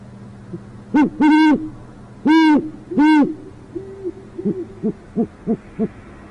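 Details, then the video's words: Great horned owl parents at a city nest in northwest Oklahoma City, Oklahoma. A few deep, strong hoots are followed by a trailing series of shorter, softer hoots spaced about a third of a second apart. "Altera heard not seen - Alessondra's OKC Great Horned Owl"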